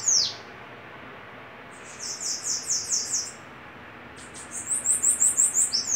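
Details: Bananaquit in a singing duel: a descending swept note opens, then two bursts of rapid high, thin, buzzy notes, about eight in quick succession, separated by a silent gap.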